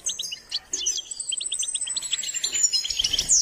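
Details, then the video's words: A short passage of goldfinch song: evenly spaced, clipped high chirps in a quick series, followed by a thin sustained whistle and busy twittering. "Step by step enhancing the goldfinch’s singing"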